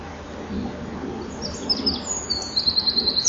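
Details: At a common kingfisher nest with young in July 2013, high, piercing whistled notes build into a fast pulsed trill near the end, above steady low environmental noise.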